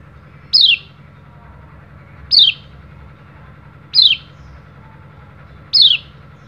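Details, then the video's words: Oriental white-eye of the dakun type giving loud "ciak" calls that challenge rivals, used to prompt reluctant birds to sing. Each call is a sharp, descending, high note, given four times at intervals of about one and a half to two seconds over a faint hum. "PLECI DAKUN GACOR CIAK CIAK NEMBAK PANJANG"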